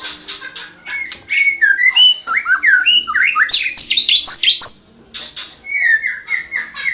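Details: Champion white-rumped shama delivering ngoceh ngerol gacor song: harsh chatter, then a cascade of tumbling slurred whistles climbing to piercing high notes, followed by steady repeated whistles.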